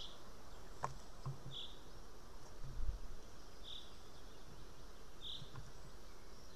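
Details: Juvenile white-tailed eagle screaming near the nest at 8:36 am on 8 July 2018 while its mother eats a fish: short, high, harsh notes repeated about every two seconds, with a few sharp ticks and a low rumble.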